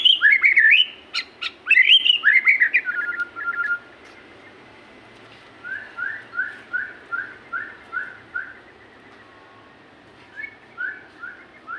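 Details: Energetic magpie-robin song opens with rich, warbling whistled phrases. A steady run of about ten short, identical rising notes follows, then a few more after a pause.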